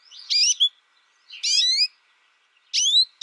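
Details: American goldfinch in its first year, reared alone and tutored only by a recording, giving three separate bright, slurred chirps with a rising-falling sweep, spaced about a second apart, in an otherwise quiet setting.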